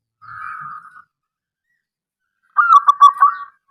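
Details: Wild local zebra dove with a strong voice, used to lure other doves into calling: a low steady hum-like note, a pause, then a rapid throaty run of pulsed cooing notes.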